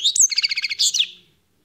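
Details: Short phrase from a wild-caught European goldfinch: a few high whistled slurs, then a quick pulsed trill of about eight notes, a buzzy ending, and fading quiet.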